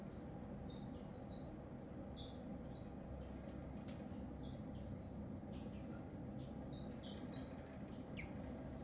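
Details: A grey singing finch pours out a lively, high twittering song of rapid notes and short trills in near-continuous bursts. A steady low hum runs underneath.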